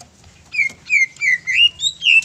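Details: Greater green leafbird song meant to provoke rival leafbirds to sing: a string of five smooth, slurred whistled phrases, rising and falling, in under two seconds.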